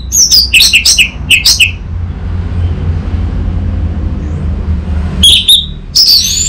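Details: Orange-headed thrush lure and tutor song meant to draw a bird into answering: two short bursts of sharp, high, slurred whistles and chips, separated by several seconds of low rumbling background.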